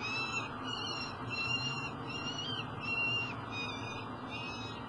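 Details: Peregrine falcon eyas near a tower nest box in Elk River, Minnesota, late July, calling with drawn-out rasping wails in an uneven series, masked by loud constant industrial hum.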